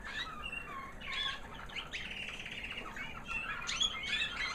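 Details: White American Singer canary hen, hatched 2009, singing a high sweet little song after her molt: clear whistled slurs and quick repeated chips, about three notes a second, mixed with short trills.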